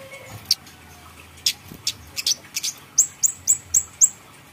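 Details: Bait recording of a grey-headed canary-flycatcher for getting birds to sing: scattered sharp high chips build into a steady series of five thin, falling whistles about a quarter second apart.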